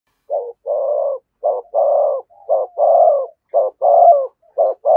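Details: Spotted dove giving the fast 'thúc gù' style of cooing close to a decoy bird: low, mellow coos in short bursts followed by longer held notes, repeated about once a second without pause.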